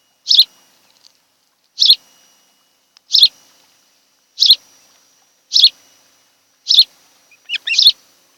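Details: Nesting osprey pair on Kent Island, Maryland, 26 July 2018, afternoon: high, piercing chirps roughly every 1.2 seconds, with a couple of softer, broken notes near the end.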